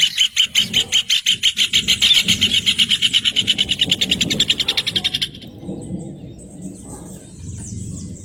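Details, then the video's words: Rufous hornero song: a loud, rapid series of sharp notes repeated almost three times per second, speeding into a dense trill that stops abruptly after about five seconds, leaving faint high chirps and low background rumble. "CANTO DO JOÃO DE BARRO 🐦 SOM DO JOÃO DE BARRO CANTANDO"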